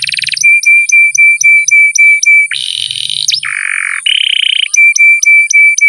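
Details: Canary masteran song for encouraging lazy young birds to sing: steady flat whistled notes repeated several times a second with sharp clicks, broken by harsh buzzy rolls and a swooping note, then the whistled series resumes.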